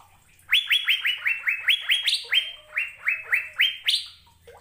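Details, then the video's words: Asian fairy-bluebird in song, recorded as a model for caged birds to copy. Quick, evenly spaced whistles, each sweeping sharply upward. Occasional higher notes break the steady run of about fourteen notes. "BURUNG CUCAK BIRU GACOR"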